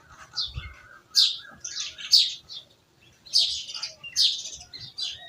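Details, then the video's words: Birds chirping in a village setting, loud sharp chirps in clusters with short pauses, overlapping twitters and a faint low hum behind. "Village Birds Chirping"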